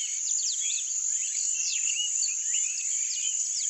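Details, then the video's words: Rusty-collared seedeater song, a lively stream of sharp downslurred and upswept whistles in rapid succession across the whole stretch. A constant shrill insect hum sits behind it. "CANTO DO COLEIRO-DO-BREJO, (SPOROPHILA COLLARIS), RUSTY-COLLARED SEEDEATER, COLEIRA-DO-SERTÃO"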